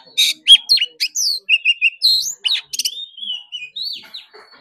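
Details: Oriental magpie-robin in competition singing, a bird said to sing against rivals all day: a rich run of varied whistles, trills, buzzy notes and short repeated chirps, shifting quickly in pitch from phrase to phrase with brief gaps.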